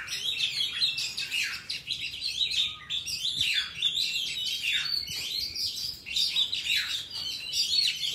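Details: Oriental magpie-robin singing a wild-type song used to tutor young captive birds: a fast, varied stream of high whistles, chirps and chattering phrases that runs almost without pause.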